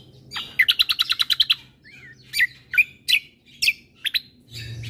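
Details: Bulbul song from a combo mix used to rouse other birds: a fast run of about ten sharp, evenly spaced high chirps, then a pause and scattered whistled, downslurred and rising notes, over a faint low hum.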